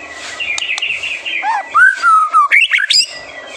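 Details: White-rumped shama in song, a master recording used to provoke young birds to sing: a thin high note, then loud rich whistles sliding down and up, ending in sharp rising phrases; soft background hiss.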